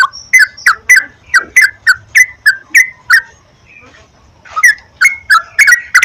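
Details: Sooty-headed bulbul song played to encourage singing: evenly spaced liquid chirps roughly three per second, a quiet break of about a second, then the chirping series resumes.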